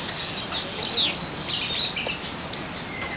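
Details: Taveta golden weaver singing while perched on a branch and preening. High, thin whistled notes and sweeping slides tumble in a busy, uneven run, fading toward the end.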